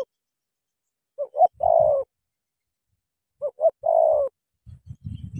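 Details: Spotted dove in the Cà Mau 'tú' style, a decoy bird encountering a wild rival, giving two clear phrases about two seconds apart, each two brief notes then a longer sliding coo, low knocks at the end.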